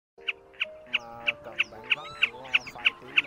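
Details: Common snipe (large fan-tailed snipe) giving sharp, high clipped notes about three per second, ten in an even run, over steady lower tones like background music; a lure call for night net-trapping in the March 2024 migration season.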